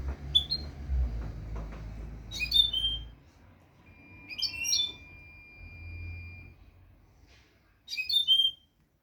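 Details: European goldfinch singing, used to teach young goldfinches a clean song: three bright twittering phrases of high, quick slurred notes, spaced a few seconds apart, over a low rumbling hum and a faint steady whine.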